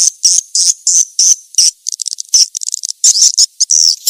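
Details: Calls of the edible-nest swiftlet, used to attract swiftlets: high buzzy chirps, some drawn out, others broken into fast stuttering clusters, in an uneven sequence.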